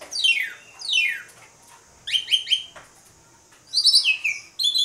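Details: Jalak suren, the Asian pied starling, in vigorous gacor mompa singing used as a lure for other birds: rich downward-sweeping harmonic notes in quick bursts, some paired, separated by short pauses.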